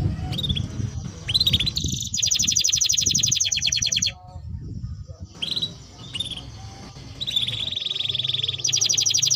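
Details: Singing Timbrado canary delivering long rapid metallic trills of evenly repeated notes, broken by short gaps and brief rising chirps, over a steady low rumble of background noise.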